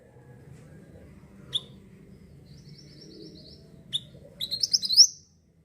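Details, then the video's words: Mantenan, or pied bushchat, singing steadily as a lure for wild birds: scattered sharp single chips and a thin buzzy note, ending in a fast, rising burst of high twittering notes. "mantenan gacor sangat cocok buat pancing burung bahan"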